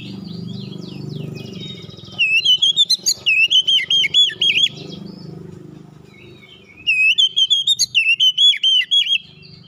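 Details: Oriental magpie-robin singing a basic tight rolling song: two bursts of fast, looping whistled notes, each under two seconds, preceded by soft scratchy twitters, over a steady low background hum.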